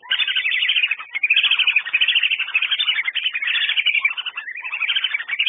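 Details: Wandering whistling ducks (Dendrocygna arcuata) call together in a dense, unbroken chatter of high, thin whistles and twitters, with brief dips in the flow.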